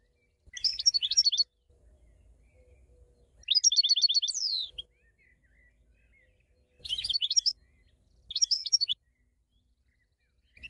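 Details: European goldfinch giving short bursts of bright twittering song, each about a second long, separated by pauses, one phrase ending in a rising buzzy trill.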